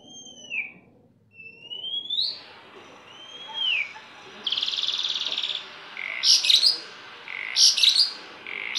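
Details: Kept starling in energetic song: clear rising and falling whistles, then a long buzzy rasp, then repeated bursts of sharp chattering chirps.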